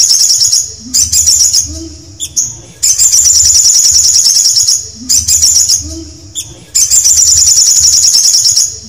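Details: Canary singing piercing, rapid trills held for a second or more. Brief pauses and occasional lower chirps break them up, and a steady low rumble sits underneath.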